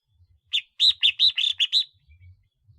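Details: Red-whiskered bulbul kept as a decoy bird calling: a quick phrase of about seven bright, slurred chirping notes over roughly a second and a half, followed by quiet low rustling.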